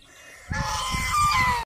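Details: A white domestic goose gives a single loud, harsh honk lasting about a second, nasal and slightly falling at the end, after a brief quiet start.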